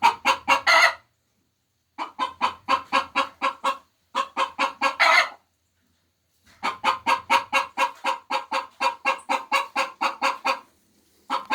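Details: Hens laying eggs cackle in repeated bursts of fast harsh clucks, several ending in a stretched squawk, with short pauses between bursts and a long steady run of clucks near the end.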